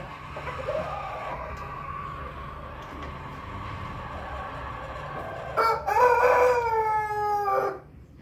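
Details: Pelung rooster crow rising out of a steady background hum: a loud, drawn-out harmonic call lasting about two seconds, slightly rising then sloping down before it stops.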